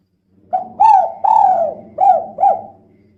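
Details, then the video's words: Female spotted dove (tekukur) calling persistently in the 'kuk 2' style, used as a lure to prompt other birds to sing; five soft, low, rounded coo notes, each briefly dipping in pitch, given in quick succession against a silent background. "Suara Burung Tekukur Betina Gacor Kuk 2 Untuk Pancingan Biar Cepat Bunyi"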